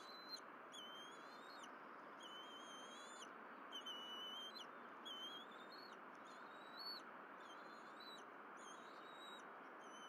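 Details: On the Berry College nest, bald eagles feed after morning fish deliveries, 12 April 2023: a near-continuous series of shrill piping, chittering whistles, rapid notes repeated throughout, with steady background hiss.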